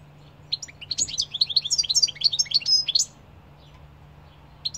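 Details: Singing European goldfinch delivering a two-second cascade of bright, scratchy twitters and tinkling chips, followed by quiet, then a brief resumed note near the end.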